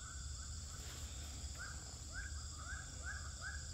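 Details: Swiftlets in a three-storey swiftlet house in Pekanbaru, Indonesia, recorded on day twelve: upward-sweeping chirps repeated about every half second, growing steadily over a constant electrical hum.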